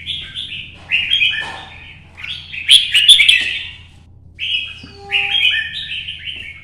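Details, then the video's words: Competition singing by one red-whiskered bulbul, 'chạy cầu' style, morning sun, to stimulate other birds: several lively warbled phrases, a loud accented flourish near the middle, then quieter rising and falling phrases with a faint low tone. "CHÀO MÀO | Nắng sớm solo chạy cầu hót đấu kích chim"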